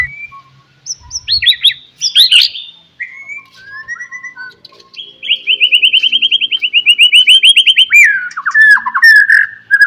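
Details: Morning song of a white-rumped shama, used to stimulate other shamas into singing: a few clear slurred whistles, then a long fast rattling trill of repeated notes, ending in descending chattering phrases.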